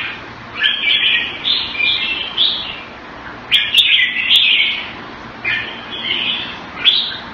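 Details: Caged red-whiskered bulbul kept in Singapore the Thai way, February 2018, singing three separate bursts of cheerful, bubbly whistled phrases, separated by short pauses, with occasional clicks.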